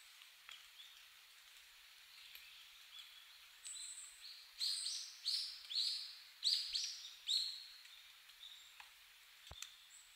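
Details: Hawfinch on the recordist's first meeting with the species. Short, sharp, high ticking calls come in a cluster of about five notes midway through, set against a faint steady outdoor hiss.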